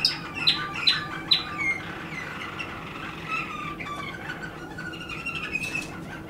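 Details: Waterslager canary song opening with four sharp high notes spaced about half a second apart, then a softer rambling stretch of thin whistles and slurred notes over low background hum.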